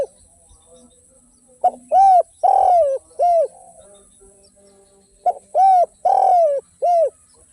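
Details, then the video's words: Spotted dove (derkuku) cooing energetically in the 'without kuk' and 'kuk 1' song styles: two phrases, each a brief clipped note followed by arched coos and one long drawn coo, with a quiet pause between them. "SUARA BURUNG DERKUKU TANPA KUK DAN KUK 1 GACOR"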